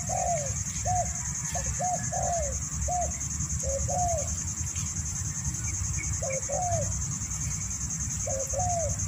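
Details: A spotted dove in a yard, nodding as it calls, gives soft, rounded coos in short groups over a steady high insect hiss.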